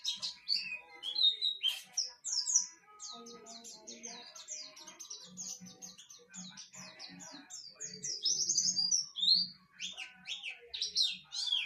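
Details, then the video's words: Pleci (white-eye) song: a long, busy run of high, quick chirps and twitters, steady and continuous, with soft low murmuring underneath. "burung pleci"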